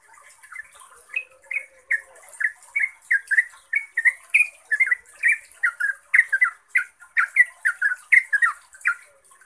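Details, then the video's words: Yellow-vented bulbul singing a lure song meant to draw replies from other bulbuls: a continuous run of chirpy, warbling notes that rise and fall. A faint low whine sounds early on, with constant high-pitched hiss behind. "ROPELAN TRUCUKAN GACOR ini bikin TRUCUK lain LANGSUNG NYAUT, GACOR dan ROPEL - pancingan trucuk"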